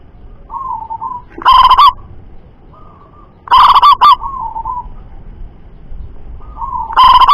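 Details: Local Indonesian zebra dove with a loud, far-carrying voice, used to lure other doves into singing. Three loud, rich, rolling coo bursts roughly every two and a half seconds, linked by softer trilled notes between them.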